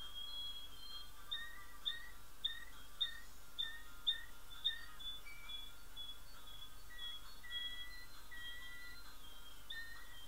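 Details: A male Belgian canary sings soft, high, whistled notes, repeated about twice a second in short phrases, over a faint steady background hum.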